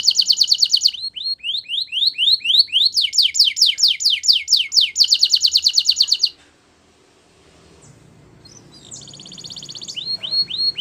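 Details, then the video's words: A Belgian canary sings in rapid high tours: dense buzzy trills alternating with quick rising slurred notes, then a pause and a softer trill return. "Belgian Canary Singing"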